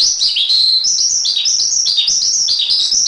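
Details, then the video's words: Javan pied starling sings a steady, high stream of sweeping whistles and chattering notes, phrases tumbling one into the next with barely a pause. "Masteran Suara Jalak Suren"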